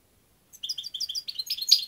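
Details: European goldfinch song starting after a short pause: a fast run of liquid two-part notes repeated about ten times, building into louder, harsher twittering with buzzy accents.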